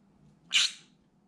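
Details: A pet green-cheeked conure at a window, provoked by outside movements or birds, gives one sudden, raspy, high-pitched scream lasting under half a second against quiet indoor hum.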